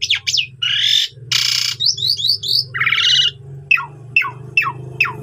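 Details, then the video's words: Asian pied starling song for training: whistled slurs, harsh rasping bursts, a row of short high chirps and sharp downslurred notes repeated about every half second, over a constant low hum. "Masteran Jalak Suren Gacor Full Isian"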